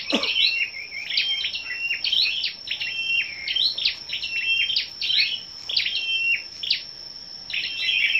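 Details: Scarlet-backed flowerpeckers singing against each other on the morning of 10/05: rapid sequences of sharp high clicks and short level whistles, almost unbroken for eight seconds, with a steady high background tone.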